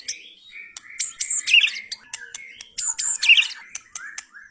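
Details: Rough 'materi kasar' song from a White-rumped shama (F3): harsh, squawky, high-pitched bursts mixed with clipped chips and short whistles, the same loud harsh phrase repeated twice about two seconds apart.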